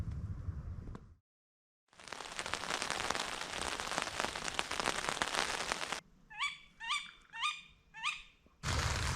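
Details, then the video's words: A Tawny Owl calls at night in the Lake District mountains in January, during pouring rain: five sharp, rising, slightly nasal calls in quick succession over about two seconds, between loud bursts of rain or wind. "the lovely call of a Tawny Owl"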